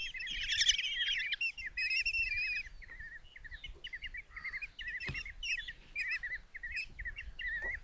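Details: Begging common kestrel chicks, five in a nest box at Tiszalök, Hungary, fed a mouse by their mother on June 27, 2024: a loud trilled squeal opening, then repeated short chittering calls, with background noise.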